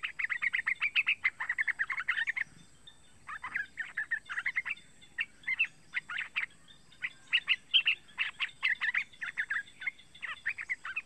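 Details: Young yellow-vented bulbul, about three months old, calling to lure other bulbuls into singing; fast bursts of sharp, chattering chirps repeated in runs with short pauses, over a faint steady background hum.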